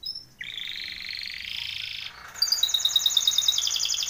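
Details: Timbrado canary training song: a sustained buzzy, rattling roll that briefly cuts off, then bright, rapidly repeated chirping notes with ringing overtones.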